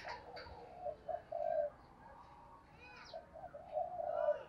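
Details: Spotted dove encouraged to coo rapidly: two runs of low, soft, rolling coo notes, a few short hoots then a longer held one, separated by a quiet pause with faint background chirps.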